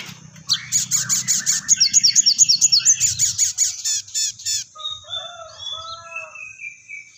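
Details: Crested jay giving combative fighting calls: a fast, even burst of about twenty harsh, ringing high notes over three seconds, then a few softer sliding whistles and nasal notes at lower pitch, with faint low background hum.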